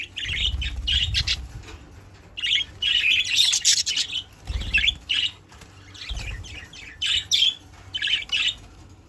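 Budgerigars chirp in rapid, scratchy bursts of warbling notes, with low thumps underneath.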